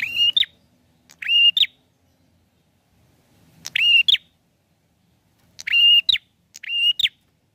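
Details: Bar-winged prinia singing actively in search of a rival; buzzy, nasal level notes ending in a short upward flick, given in pairs and singles with long silent gaps.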